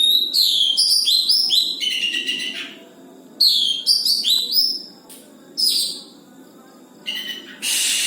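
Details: Oriental magpie-robin, a caged bird, singing a steady, well-developed song: bursts of high whistled and buzzy phrases, many sliding downward, in two long runs separated by short pauses, with a harsh hissing note at the end.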